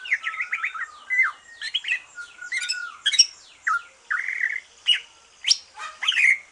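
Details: Fast, varied chatter from a greater green leafbird that has finished moulting, sung to stimulate other birds: quick whistles, squawky notes and rising slurs crowding together, then spaced loud chirps.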